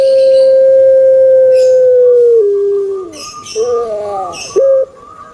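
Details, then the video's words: Kept puter pelung turtle dove holding a very long steady hooting note that falls into a lower coo, then a rolling gurgled phrase and a short sharp note. "𝙋𝙐𝙏𝙀𝙍 𝙋𝙀𝙇𝙐𝙉𝙂 𝙎𝙐𝘼𝙍𝘼 𝘼𝙎𝙇𝙞 𝙋𝘼𝙉𝙅𝘼𝙉𝙂 𝙆𝙒𝙊𝙆 𝙏𝙀𝘽𝘼𝙇"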